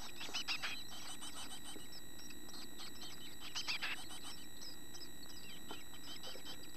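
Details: Nest-box chickadee chicks close to leaving the nest, with tail feathers grown, produce scattered clusters of high, thin chirps, two louder bursts standing out, against a low steady hum.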